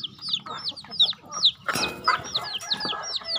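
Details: Chickens being fed on a farm: clear, high whistled peeps that slide sharply downward, several per second from multiple birds, with a scraping clatter in the middle.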